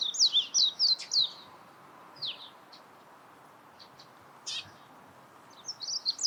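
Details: Warbling white-eye with a short high twitter at the start followed by scattered thin chips and a brief warble at the end, over a quiet background.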